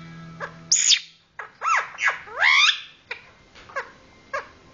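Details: Lovebird making a funny noise, heard as a few loud, squeaky chirps with bending, swooping pitch and rasping overtones, separated by sharp clicks, with a low steady hum at the start.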